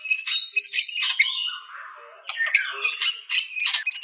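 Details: White-rumped shama delivering bursts of high, scratchy, squeaky notes broken by a short low, soft passage, then more rapid, harsh chattering phrases.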